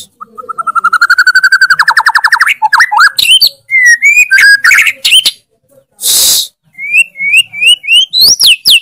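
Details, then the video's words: Loud, constant white-rumped shama song packed with fills: a fast rising trill of repeated notes speeds into varied whistled phrases, sweeping glides and sharp accents, interrupted by one short burst of noise before more looping whistles. "MURAI BATU GACOR FULL ISIAN TEMBAKAN KENCANG, KICAUAN YANG SANGAT MENGGAIRAH KAN MURAI BATU ISTIMEWA"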